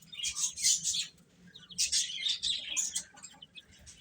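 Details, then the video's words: Young chicks eating, bursts of piercing high chirps about three to four per second, loud at first, then thinning out. "Cute Chicks Chirping Sounds | Little Baby Chicken Eating"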